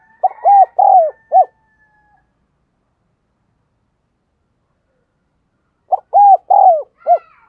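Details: Decoy spotted dove giving an urgent cooing series meant to stir other doves into calling: two low four-note phrases about five seconds apart, soft lead-in note, two drawn-out rounded coos, short closing note, silence between.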